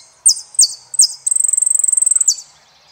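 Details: Saffron finch from Argentina singing: three high, sharp downslurred notes, then a long, fast, even trill of bright ticking notes held on one high pitch before a closing downslur. Clean, quiet background.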